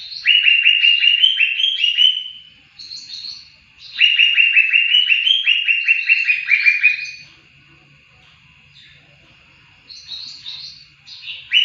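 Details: Greater green leafbird, recorded to train songbirds: two loud bouts of rapid, evenly repeated sharp chirps, each lasting a few seconds, separated by soft high twitters, then a quiet stretch and more scattered bright notes.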